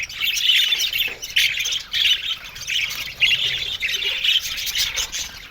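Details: Flock of Australian budgies kept in an aviary, giving harsh, buzzy squawks and chirps in uneven bursts, with overlapping birds forming a steady high chatter.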